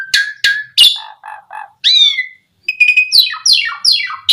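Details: Asian pied starling sound used to stimulate other starlings to sing: whistled notes, three low nasal calls, a falling slurred whistle, then a run of harsh descending rasping sweeps.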